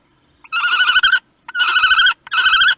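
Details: At a kestrel nest in Théding, France, filmed by webcam on 18 May 2021 as the first chick hatched, an adult gives three drawn-out, wavering, whining calls, each opened by a brief soft note, with no other sounds.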